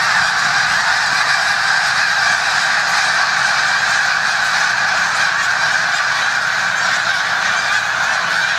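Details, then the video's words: A large flock of snow geese in the Musconetcong river valley, New Jersey, near the Delaware River, gives a constant, dense roar of overlapping nasal, high-pitched honks with no break throughout. "Snow Geese"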